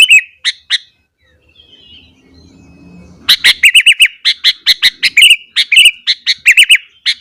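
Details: Sooty-headed bulbul in frenzied morning song, used to trigger other bulbuls. A few chirps, then two quiet seconds, then a long, lively stream of rapid repeated bubbling notes.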